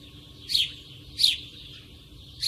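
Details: Nearby sparrow giving two clear, sharp chirps spaced under a second apart, then the start of a third, against quiet background hum.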